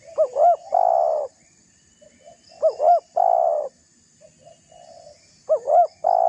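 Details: Spotted dove giving a provoking call meant to rile rival doves, used as a lure: three loud phrases, each two quick looping notes and then a long, low drawn-out coo, about every two and a half seconds, with softer coos between.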